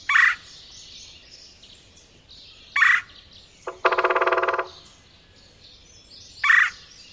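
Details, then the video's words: Red-bellied Woodpecker giving its relaxed, toned-down wer call, short rolling notes about every three seconds with a louder buzzy trill in between, over soft background noise. "the red-bellied woodpecker has a toned-down wer call note"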